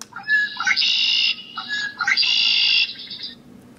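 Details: Red-winged Blackbird, back early in the season at the Upper Mississippi River near the National Eagle Center and claiming territory, gives two conk-la-ree songs. Each has a few short lower notes, then a long, harsh, buzzy trill over a quiet hum.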